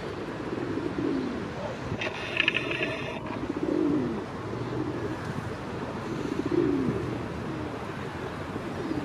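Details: A courting feral city pigeon in Mannheim gives low, throaty rolling coos repeated every few seconds, with a brief mechanical rattle and steady background traffic hum.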